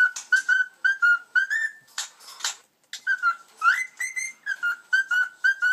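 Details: A male pet Cockatiel, singing along with a cockatiel on a YouTube video, whistles a song of short, clear notes that rise and dip in quick repeated phrases, amid music and laughter.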